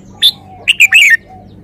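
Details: Red-whiskered bulbul singing a short, loud phrase: a sharp high note, then a quick run of three bright, slurred whistled notes that fall away at the end, over quiet background.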